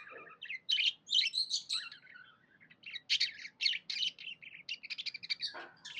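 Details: Cheerful budgie warbling almost without pause: dense, chattering high notes mixing squeaks, buzzes and scratchy trills, with one lower grating note near the end.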